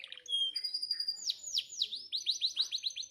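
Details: Canary singing a tutor song meant to teach reluctant canaries: brief high whistles, then a run of quick downward-sweeping notes repeated about five times a second, ending in a steady trill.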